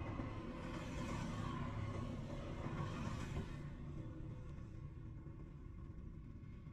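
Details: Low rumbling engine and road noise throughout, with a steady broadband hum and no animal calls.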